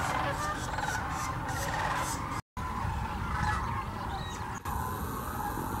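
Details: Wintering flock of thousands of migrating sandhill cranes at Hiwassee Wildlife Refuge, Birchwood, Tennessee, filmed on a GoPro Hero 9 and Canon Powershot; a dense, continuous chorus of overlapping rolling calls over steady rumbling background noise, with a brief dropout midway.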